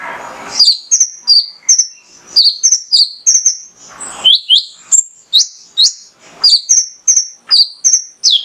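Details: Energetic singing male Mangrove whistler, used to excite other songbirds into song: a long series of bright, very high whistled notes, some falling and some flat, repeated rapidly in pairs and triplets with short gaps.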